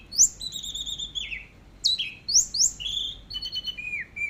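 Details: Clear teler-style song of an orange-headed thrush for masteran: long thin sliding whistles dropping in pitch, sharp upswept notes and sustained high tones with a slight trill, on a quiet background.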